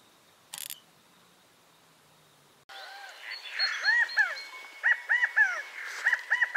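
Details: California quail calling after a quiet start: a series of short, arched, slurred notes with strong harmonics, given in quick pairs and groups, with a faint steady background hiss.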